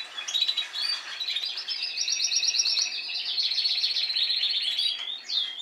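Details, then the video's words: Timbrado canaries of Spanish breed in song, last season's bird among young ones learning to sing: dense, rapid water-like rolls and fast repeated pulsed notes running almost without break. "Canarios Timbrados cantando"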